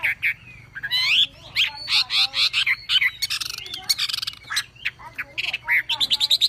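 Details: ['Javan pied starling song from a masteran tutor recording: dense, busy chattering with harsh buzzy bursts and rapid whistled notes running almost without pause.']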